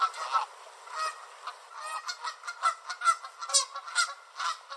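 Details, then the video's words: Canada geese on a beach in Southern Ontario, Canada, chasing each other back and forth and honking loudly and irregularly at each other: several nasal two-toned honks overlapping at a quick, uneven pace, with faint background hiss. "Loud Canada Geese Chasing Each Other - Honking Sound"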